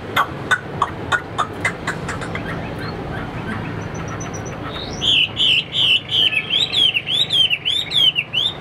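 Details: Caged Chinese hwamei, about 85% tame, offered as a songbird: soft scattered clicking notes give way halfway through to loud, clear whistled phrases, each swooping up and down, repeated about twice a second.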